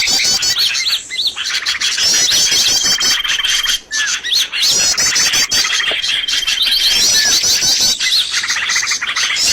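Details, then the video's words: Lure calls for catching birds: fast high twitters and squeaky chirps overlap continuously. Two long, flat sustained whistles stand out, and there is a short quiet dip near four seconds. "SUARA PIKAT BURUNG paling d cari!!"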